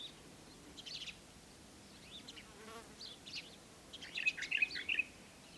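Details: Green Bee-eater (Merops orientalis) at Wadi Bih, UAE, on 5 February 2013, giving high, buzzy trilled chirps in short bursts, loudest and most rapid near the end; a faint hum of background noise throughout.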